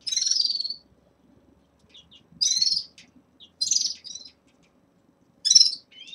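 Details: Red-fronted serins kept in a cage, at the start of moult: short bright twittering bursts repeated every second or so with quiet gaps, each a rich warbled phrase, faint low rustling underneath.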